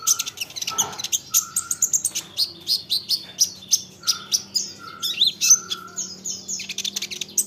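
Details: Olive-backed sunbird song for luring answering sunbirds: rapid high tweets and sharp chips, mixed with short, flat, lower whistles repeated several times.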